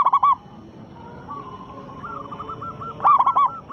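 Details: Local zebra dove with a big voice, played as a lure to make other doves answer; loud cooing phrases at the start and near the end, with softer rolling coos from other doves between.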